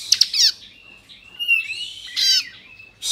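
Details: Bar-winged prinia, Kristal type, song for provoking rival prinias: a brief clicking burst, a drawn-out thin whistle, then a short buzzy rattle.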